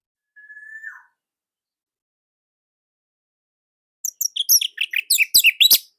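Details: Orange-headed thrush from Indonesia singing loudly as a master for other thrushes; a thin level whistle, a long silence, then a fast tumbling burst of high chirps and twitters.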